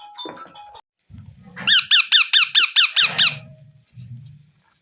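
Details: Young Indian ringneck parrots during feeding, as an adult that eats first then feeds into their mouths: a rapid series of about eight sharp, chevron-shaped squeaky calls repeated evenly, preceded by brief chatter and followed by low rustling.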